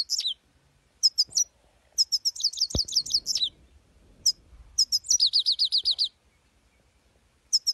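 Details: Singing European goldfinch (saira) delivering scattered high, sharp chips and twittered phrases, then a fast series of repeated descending trilled notes; a brief click and faint low rumble in the background.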